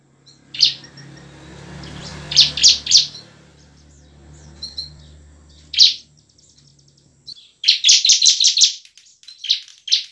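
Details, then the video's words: Bar-winged prinia in full, emotional ngebren and nembak song, used to prompt lazy birds to sing and fight: scattered sharp buzzy notes over a low hum, then a rapid clattering run of harsh notes. "CIBLEK GACOR penuh emosi ngebren dan nembak cocok untuk pancingan ciblek malas berbunyi"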